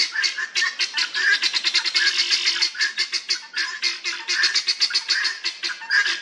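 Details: A group of helmeted guineafowl in a Northamptonshire churchyard in England, chattering in rapid, harsh pulsed cackles that run together in fast bursts, with brief dips between the noisiest stretches.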